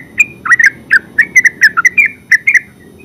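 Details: Yellow-vented bulbul, called terucuk, in full ngeropel song: rapid bubbly chattering notes near the middle range, clustered in quick bursts of two or three, with faint low background hum.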